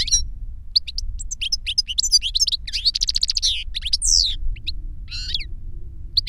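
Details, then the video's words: Master and novice European goldfinches singing reclamo, the young bird having learned the master's song from a CD. Rapid high twitters, rattling buzzy runs and a sharp descending whistle, nearly unbroken throughout. "Jilguero maestro cantando reclamo y enseñando a otro jilguero novel"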